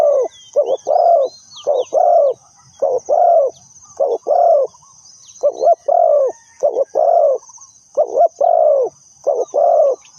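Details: Lure spotted dove for trapping, cooing steadily in repeated pairs of a short note and a longer hoarse, downslurred coo for ten seconds; scattered thin chirps of other birds and a continuous high whine in the background.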